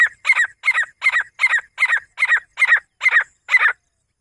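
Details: Loud, scratchy, repeated call of a female grey francolin: ten rough, double-pulsed notes given quickly and regularly, then silence.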